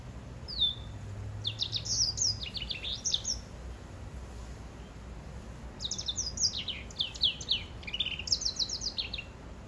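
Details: Crossbred greensinger and grey singing finch mule gives a single rising whistle, then two clusters of fast, sweet, high-pitched twitters separated by a quiet gap of about two seconds; low background hum.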